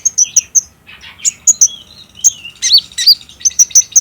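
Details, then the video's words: Olive-backed sunbird, green kolibri ninja form, in a lure recording to set off other birds' singing: clear high piping notes repeated in short series, broken by buzzy slurred phrases and emphatic looping whistles. "PALING JITU BIKIN KOLIBRI NINJA IJOAN CEPAT NYAUT | PANCINGAN KONIN TROTOL AGAR BUNYI DAN GACOR"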